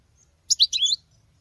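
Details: Goldfinch hen singing in the manner of a male: one brief, bright phrase of two sharp chirps followed by a liquid, slightly buzzy twitter, all within half a second.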